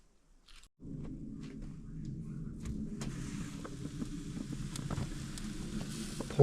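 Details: Brief quiet gives way to a low rumble with scattered clicks and taps, like handling or footsteps, and no animal calls.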